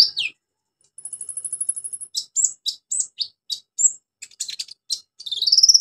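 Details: Orange-headed thrush in full song with fill-in mimicry, played as a lure for birds gone quiet: a falling note, a long rapid high-pitched trill, then a string of varied chips and whistles, ending in a fast rising trill.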